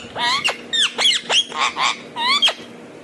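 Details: Indian ringneck parakeet talking: a run of clear, whistled, speech-like syllables with harmonic sweeps rising and falling, about eight short notes in three seconds, with a faint steady hum behind.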